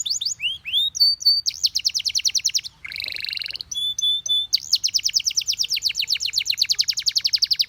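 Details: Canary in song, tempting other canaries to join in: quick upward slurs, a bright whistle, a fast even trill, a harsh buzzy burst, steady whistled notes, then a long rapid rattle of short chirps.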